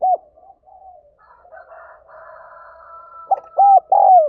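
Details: Spotted dove calling to lure birds: an opening coo, a stretch of soft murmuring under a faint steady higher tone, then three loud arched coos, the last long and sliding down.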